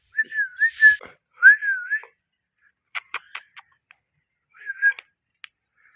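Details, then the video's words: Parrot producing clear, wobbling whistled phrases, first a two-part warble, then a smooth dipping whistle, a scatter of sharp clicking sounds, and a final shorter whistled phrase. "Parrot clean voice"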